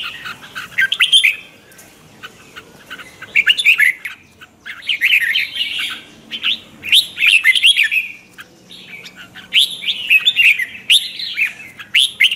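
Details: Red-whiskered bulbul (chào mào) giving morning training song in the twisting-voice style as a lure bird; repeated bursts of lively, tumbling whistles about every two seconds with short silences between, plus crisp clicks.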